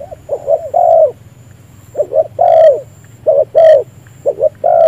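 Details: Decoy spotted dove for trapping cooing with chest lowered: repeated phrases of two quick notes followed by a longer falling coo, about once per second, with a faint low background hum.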